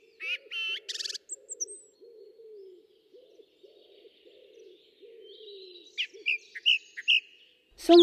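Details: A Common blackbird singing in the quiet of night, a melancholy song with brief pauses between phrases: low, mellow warbled notes broken by bursts of high, squeaky twittering at the start and near the end.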